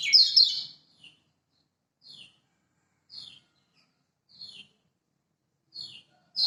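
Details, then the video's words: Lemon-bellied white-eye of Lombok, master recording for luring silent birds into singing: a brief twittering burst, then a series of short descending high chirps about once a second. "Masteran Kecial Kuning Lombok!!! Buat Pancingan Kecial Macet"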